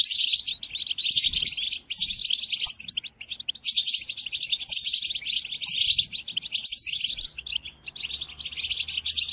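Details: European goldfinch training song for captive birds: sustained busy twittering broken into phrases about two seconds long, separated by short pauses, mixing sharp chips with fluid trills.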